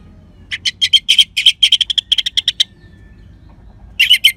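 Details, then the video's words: Fast, buzzy chatter from an orange-headed thrush in the 'crystal' voice used to spur stalled birds: about twenty rapid harsh notes, a pause, then another burst. "Gacornya ANIS MERAH Suara Kristal Bagus Untuk Pancingan Burung Lemas ataupun Macet Dijamin Ngelawan."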